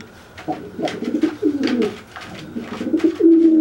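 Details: Dry pigeon threatening a wet pigeon after bathing; broken, low gurgling coo notes ending in a steadier drawn-out coo, with scraping and taps.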